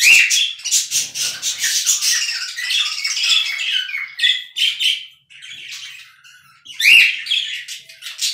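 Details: Charcoal cockatiels starting to whistle, with two types of whistling at once: dense run of harsh chattering and squawky notes with some upward-sweeping whistled slurs, a pause near the sixth second, then a rising whistle and more chatter.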